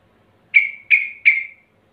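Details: Yellow-vented Bulbul male calling out to a rival, a lure recording for prompting ropel singing: three clear whistled notes in quick succession, each fading with a slight downward slur.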